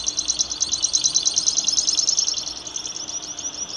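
A grassland yellow-finch sings a fast, high trill of bright repeated notes, about three per second, then slows into looser, wavering phrases over faint background hiss.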